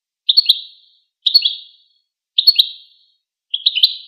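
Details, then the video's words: Chattering goldfinch, a sound linked to interactions between birds or courtship, repeating a short high triple-noted twitter roughly once every second, four times, in a quiet setting. "Songs of the Goldfinch"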